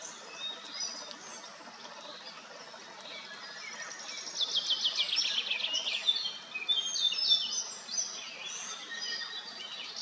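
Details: At Madocsa's Kápolnai kobolya, bathing common starlings, recorded on a Nikon P1000, build from faint squeaks to loud rattling click series and mixed whistled notes midway, against a constant noisy background.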